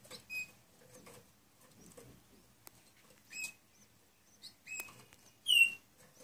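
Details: Gloster canary chicks, eight days old, giving thin high chirps and squeaks in short scattered bursts, with one louder downslurred peep near the end amid soft rustling.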